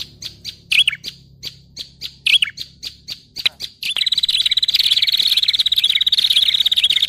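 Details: Prinia lure sound for catching all kinds of prinia: a series of sharp, separate high chips, about two per second, breaking after four seconds into a fast, continuous, buzzy high trill with slight wavering.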